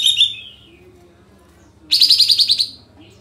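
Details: Kapas tembak sooty-headed bulbul singing, used as a lure to make other birds sing; a short high phrase, a pause, then a loud stuttering trill of about ten rapid notes.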